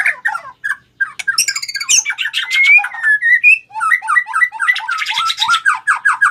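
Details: White-rumped shama singing in a challenge to fight: a varied, loud run of short chirps, slurred whistles and rapid buzzy trills, notes mostly in a bright mid-high range, ending in a fast repeated chattering series.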